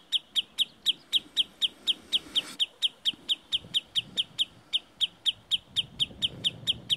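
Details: A sandpiper in the hills near Murmansk, leading an intruder away from its nest, gives sharp, high, clipped notes, about four a second in a steady run, over a low background rumble.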